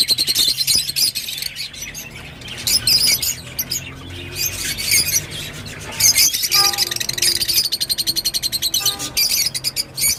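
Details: Rosy-faced lovebird chattering in bursts of shrill, squeaky twittering separated by quieter gaps, ending in a rapid run of repeated chips.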